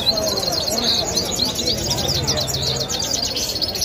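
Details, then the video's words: European goldfinch from Kabul, Afghanistan, sings a fast, continuous, high liquid twittering of tinkling notes and trills, with a low background murmur that may be voices. "Goldfinch Singing Cute |سایره سهره خواندني سهره خوش اواز"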